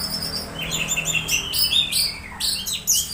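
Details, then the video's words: Orange-headed thrush (anis merah) giving strange sounds while being conditioned, used as a lure to make others sing; quick high twittering phrases with rising and falling whistled slurs in rapid succession. "Suara suara aneh anis merah saat di cas ampuh pancing anis merah bunyi"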